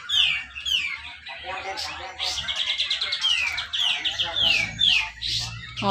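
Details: Caged black-crested bulbul at a singing contest in Malinau, North Kalimantan, with a dense, tight song meant to coax reluctant birds into singing; repeated sharp descending whistles and rapid chattering notes, some other bird chirps behind.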